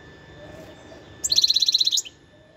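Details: Wild European goldfinch producing a rapid, evenly repeated run of about a dozen bright, buzzy-edged notes in roughly three quarters of a second, against quiet background.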